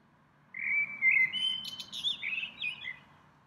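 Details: Small bird singing in a tree in spring, a visitor that comes to the same tree several times a day; one melodious phrase of high sliding whistles, first level then rising and breaking into quick warbled notes over about three seconds.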